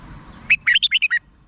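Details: Red-whiskered bulbul, Thailand, giving one cheerful phrase of six bouncing whistled notes in about seven-tenths of a second, with a faint murmur beneath.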